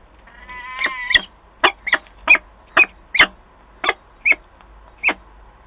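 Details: Peregrine falcons meeting at the nest in Wałbrzych, Poland, on 8 August 2022: a thin whistled note opens, followed by a regular series of grating, squealing calls, about two per second, over low background hum.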